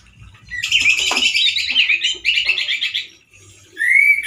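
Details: Powerful harsh song of a caged male orange-headed thrush: a long, dense buzzy rattle of rapid scratchy notes, a short pause, then a clear rising whistle.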